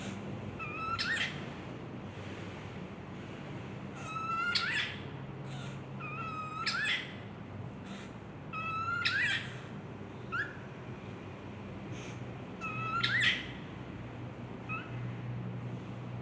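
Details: A cockatiel (Nymphicus hollandicus) mimics a kiss, repeating a wet smacking kiss sound that ends in a brief rising squeak, about every three seconds.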